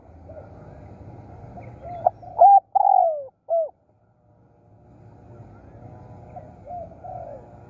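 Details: Spotted dove used as a decoy for luring other doves. One clear phrase of clipped notes and a drawn-out coo ends in a short final note, with softer cooing from other doves before and after.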